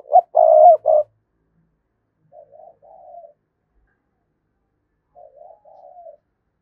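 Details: Decoy cooing of a spotted dove, used to stir other doves into calling back. A strong, pulsing coo sequence starts things, then two quieter, lilting coo phrases follow after gaps of a few seconds.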